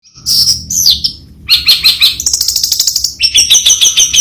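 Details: Long-tailed shrike singing a varied, jumbled song: high whistled notes, then harsh rapid chattering trills and buzzy repeated phrases, loud and close with a quiet background.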